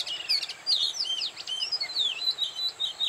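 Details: Oriental magpie-robin in song at Bada, North 24 Parganas, India, pouring out quick, clear whistled phrases that swoop down and up in pitch, closely spaced with barely a gap, against a faint constant high buzz.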